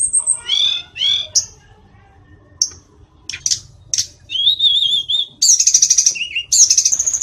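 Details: Mountain tledekan song: scattered high whistled notes and short trills, several pauses, ending in fast buzzy repeated phrases at very high pitch.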